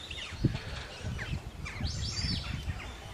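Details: Australian wood duck at WWT Slimbridge giving a high, arched, rising-then-falling mewing call near the end, with a lower murmur and rustling beneath.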